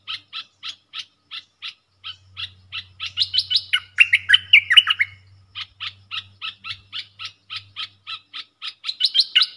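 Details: Caged bulbul in a singing duel with wild birds, recorded 3 October 2021: short chirped notes repeated rapidly and evenly, breaking mid-way into a denser, tumbling burst of higher whistled phrases before the steady chirping resumes; faint low hum underneath.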